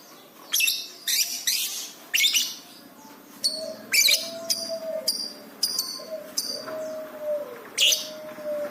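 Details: Lovebird singing energetically on a training recording for pet birds: sharp, high, clicking chirps in bursts about every half second, with some lower tonal notes and a faint tinny rattle between them.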